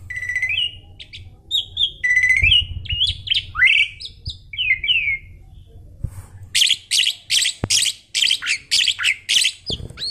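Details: Talkative tame Asian pied starling, a recording used for luring or training birds: twisting whistles and squeaky slurs, then a rapid series of harsh, noisy rasping bursts, over a faint low hum.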